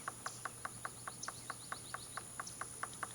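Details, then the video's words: Male Golden-fronted Woodpecker at Hill Bank Field Station, working on possible nesting holes: sharp, even taps about four per second, with a faint series of thin high chirps overhead. "Golden-fronted Woodpecker"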